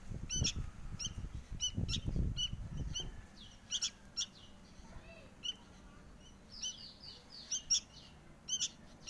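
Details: Young sooty-headed bulbul asking to be fed: sharp, high, clipped chirps at uneven intervals, with rumbling handling noise during the first few seconds.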